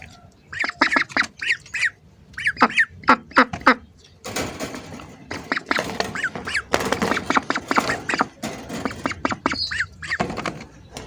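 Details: Hungry ducks heard close by: choppy squawks in quick groups, then a noisier stretch of overlapping calls with a hiss-like wash behind them.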